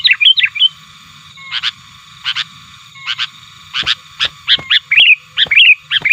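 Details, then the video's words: Sooty-headed bulbul, recorded as a lure, calling aggressively to challenge rivals. A few quick chirps open, then harsh clipped notes come at irregular intervals before a faster burst of twittering phrases at the end. "Pikat Burung Kutilang 100% Asli Gacornya Aktif Menekan Lawan"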